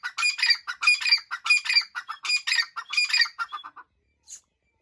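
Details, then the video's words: A breeding pair of grey francolins gives loud, harsh, grating phrases about every half second, five in a row, then a few trailing clipped notes. "Dakni Breeder Pair Sound | Tetar ki AwaZ"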